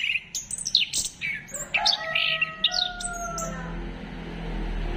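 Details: Orange-headed thrush song played as a lure to encourage singing: quick high chirps and whistled notes with a few long, steady tones, over a low background rumble.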